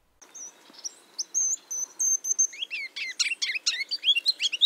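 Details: Spring song of a Ruby-crowned Kinglet from central and eastern US backyards: thin, very high light notes that speed into a quickening run of bright musical twittering, ending in a few loud notes.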